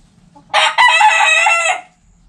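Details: Backyard rooster crowing once, a loud harsh cock-a-doodle-doo lasting about one and a half seconds with a brief break after the opening note, in an otherwise quiet yard.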